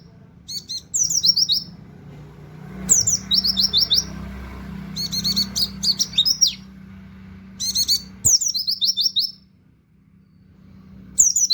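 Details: Oriental white-eye singing in the 'tembakan' style with canary-like 'wit wit' notes, kept as a training song for songbirds: short high bursts of quick descending twittering notes, repeated every two to three seconds, over low background hum.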